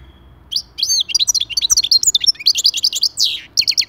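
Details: European goldfinch song meant to prompt other goldfinches to sing: a fast, bright twittering run of high chirps and short trills, with a brief pause before a final burst of three rapid notes.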